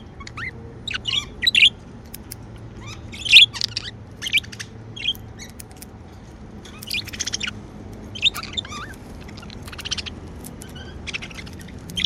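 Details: Pet budgerigars, described as happy, give scattered chirps and scratchy warbles in irregular bursts separated by brief quiet gaps over a steady low background hum.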